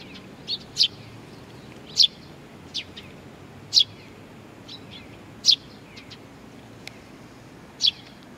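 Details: Nestling birds calling while awaiting their parents, Tenmangu, Nakanoshima, 25 June 2020; loud, piercing high chirps spaced about one to two seconds apart, with faint quieter peeps between, against a quiet hissing background.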